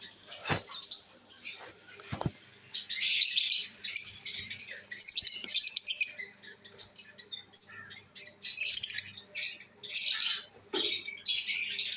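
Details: Pet lovebirds, including albino red-eyed birds, kept at home and enjoying the day, give dense bursts of shrill, high chattering chirps and squeaks, repeated in clusters with brief pauses.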